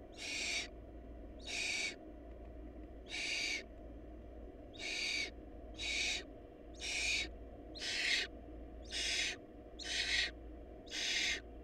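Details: Ten raspy, breath-like screeches from hungry barn owl nestlings in a nest where food ran short, coming at a quick, fairly regular pace of about one per second. A constant low hum sounds underneath.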